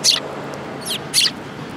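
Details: Sparrows feeding together at a Tenmangu shrine on 22 January 2018; three quick, high, slightly buzzy chirps in under two seconds, the first and last loudest.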